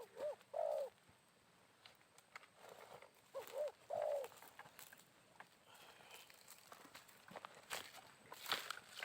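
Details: Spotted dove calling in the wild at midday after morning rain, during trapping with a decoy bird; two short series of soft, hooting coos with a slight downward bend, separated by a pause, amid faint clicks and rustling.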